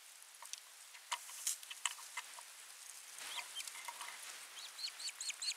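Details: At an osprey nest in Finland on 28 July 2021, an osprey gives a run of short, high, upslurred whistled chirps in the last seconds, after several sharp knocks and rustles.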